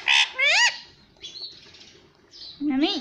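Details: Pet talking parrot, said to say "mitthu" and "mummy", lets out a harsh rising squawk, faint mid-pitched murmurs, then a lower nasal call at the end.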